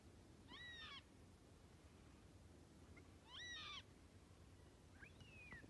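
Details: Black cockatoos from a flock of about 100 birds feeding on parrot bush seeds in low, dense bushes at Lake Clifton, Western Australia, 25 April 2022; three drawn-out, harmonic-rich wailing calls bend down at the end, spaced roughly two seconds apart over steady background hiss.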